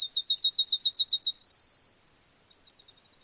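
A Yellowhammer sings a fast run of about ten high, dry repeated notes, then a drawn-out level note and a higher slurred note that falls away.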